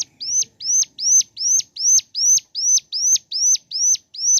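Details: Mountain leaf warbler (ciblek gunung) singing in the morning: a steady, clean series of high, sharply hooked notes, each rising then dropping, repeated evenly about two or three times a second against a quiet background.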